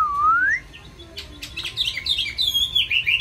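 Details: Chinese hwamei, a kept songbird with many wild-style voices: one clear rising whistle, a short gap, then quick high warbled notes over low hum.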